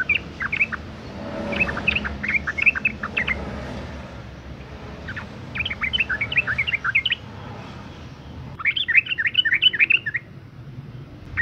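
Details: Sooty-headed bulbul, a breeding female whose calling is used to get males singing. Repeated clusters of bubbly, fluty whistled notes in short phrases with brief gaps, over a faint low background rumble.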